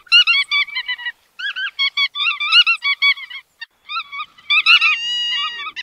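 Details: Nasal, harmonic calls of a bar-tailed godwit, delivered in uneven strings of quick, slightly rising notes with brief pauses between runs. One drawn-out tone near the end. No other sounds.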